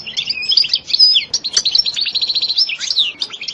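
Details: European goldfinch delivering continuous stimulating song with sitsata and batbata phrases: dense liquid twittering, buzzy rolls and quick chattering note series, high and unbroken throughout.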